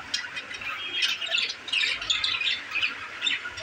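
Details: Happy budgerigars in a new cage chatter continuously in raspy, squawky high notes mixed with quick chirps, forming an unbroken busy warble.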